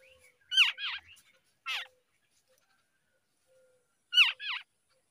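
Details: Babbler birds at the nest in the early morning as babies are fed: harsh, scratchy chattering notes in three short bursts, the first and last bursts double, with a single rasp between and quiet gaps.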